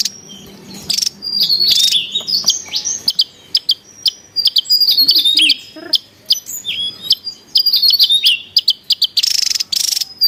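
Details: Javan tesias calling busily in the wild in Java, sound used to lure and tutor birds: rapid high whistled notes, sharp chips and short buzzy bursts tumbling together, some notes sliding downward.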